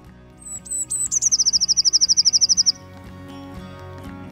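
Eurasian blue tit: a few very high, thin notes, then a quick, even trill of about fifteen notes lasting a second and a half, over soft background music.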